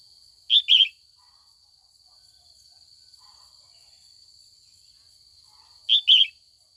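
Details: Trained female red-whiskered bulbul calling in the afternoon to stir old wild-caught males into song duels. She gives a short double-note call, then repeats it about five seconds later. A faint steady electronic tone lies beneath.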